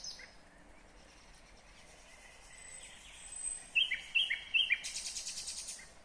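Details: Nightingale song from Kyrgyzstan in 2020: quiet whistles, then a volley of loud repeated chirping notes ending in a harsh, noisy rattle and softer trailing pulses.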